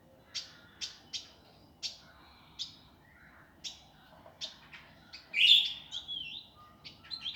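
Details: Indigo bird in a master recording for training birds: sharp, separate chirps high in pitch, spaced about half a second apart, ending in a louder rising squeaky note and quick twittering.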